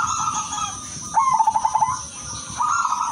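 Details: Female zebra dove of silver colouring calling for males, kept as a lure: a single quick rattling trill of rapid coos, framed by quieter drawn-out cooing notes, with a constant thin high whine behind.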